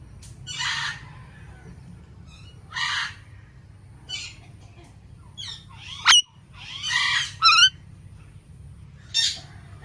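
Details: Indian ringneck parakeet: spaced hoarse squawks and short chirps over nearly ten seconds, then a piercing shriek, a burst of harsh chatter, a quick ringing screech and one last squawk.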